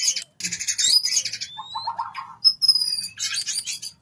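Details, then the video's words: White-rumped shama song used as lure to bring birds quickly into breeding condition and egg-laying: loud varied phrases of high whistled slides, dense buzzy chattering bursts, and a lower warbled run mid-way. "PANCINGAN MURAI ANDA!!! LANGSUNG KAWIN!! CEPAT BIRAHI!! BERTELOR!!!"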